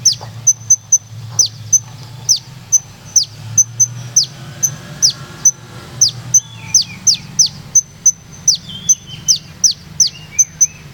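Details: An olive-backed sunbird from Purworejo in melodious rolling song, delivering a long, regular series of needle-thin high ticks and steep descending whistles, with softer lower warbled notes toward the end.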